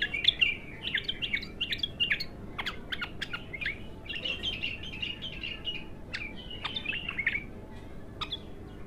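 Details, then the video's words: Raw, untrained bulbul opening into song for the first time: a steady stream of short twittering phrases and slurred chirps mixed with sharp clicks, over low background hum. "تغريد الابتر خام اول فتحـه له"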